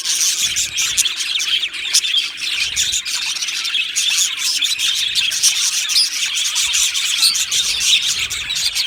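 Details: Budgie colony in an aviary, Australian budgerigars, 15 July 2025: loud, constant high chirping and tweeting from a crowd of birds, with quick bright notes overlapping without a break.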